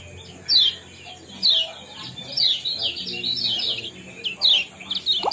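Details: Common Iora (kecial kuning) 'ciak-ciak' chirping used to stimulate breeding condition: high, clipped downslurred notes in loose bursts about once a second, with a faint steady hiss behind.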